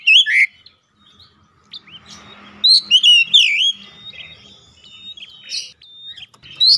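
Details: Oriental magpie-robin lure song meant to provoke other males into full singing: loud clear whistled notes, upslurs and downslurs with sharp chips in bursts, quieter thin phrases between, faint low hum behind.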